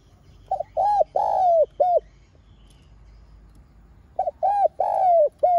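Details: Lure recording of a spotted dove giving calling and urging coos: two identical phrases about four seconds apart, each a quick double note, arched coo, long falling coo and short closing note, with quiet gap between.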